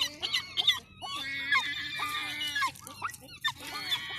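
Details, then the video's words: Seafront gulls, fairly quiet in the cold of a Sunday afternoon, giving rich, stacked, moaning calls, some held and some sliding, several birds overlapping. "Seafront seagulls this Sunday"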